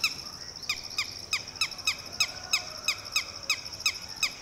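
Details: A mother red-wattled lapwing with newly hatched chicks gives sharp, piercing panic calls, about three a second, warning a chick to sit still as a Shikra swoops low overhead, over a steady high insect hum.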